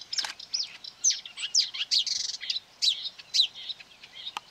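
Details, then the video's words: Marsh warbler lured by playback near quarry workings on 9 May 2020, fiercely attacking a hung mobile phone and trying to outsing it: rapid varied chattering song of high chirps, slurred whistles and buzzy notes. "Болотная камышевка"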